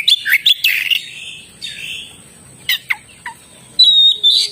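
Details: Oriental magpie-robin with harsh buzzy notes and quick whistles, a softer grating phrase, two downslurred notes, then a loud sustained high whistled phrase to close.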